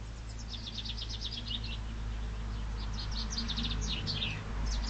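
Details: Chaffinch singing in spring: two rapid, descending trilled phrases of high chirpy notes, each about one and a half seconds long, over a steady low hum.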